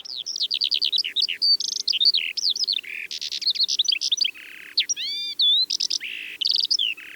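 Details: Calandra Lark song from the Manych steppe, Russia, recorded on 21 April 2024. A dense, fast medley of chirps, trills, buzzy notes and upward-sweeping whistles, pouring out almost without pause and mimicking other birds' notes.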